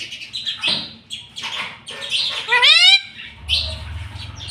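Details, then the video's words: Pet green ringneck parrot, a talking tota, indoors; scratchy harsh squawks mixed with a bright rising whistled sweep near the middle, followed by low rumbling background noise. "BOLNE WALA TOTA 😁 Talking parrot"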